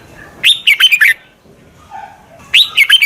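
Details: Red-whiskered bulbul used as a lure for wild birds gives two loud bursts of quick, slurred whistled notes, four to five notes each, separated by about a second and a half of quiet with a faint soft note between.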